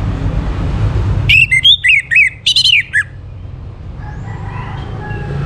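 Orange-headed thrush gives a quick burst of about ten clear, varied whistled notes in two short phrases, rising and falling, over a low background rumble.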